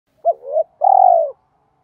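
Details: Spotted dove with a mixed-voice style cooing to lure wild doves in. One short two-part coo: a low dipping note, then a long buzzy, pulsed coo ending in silence.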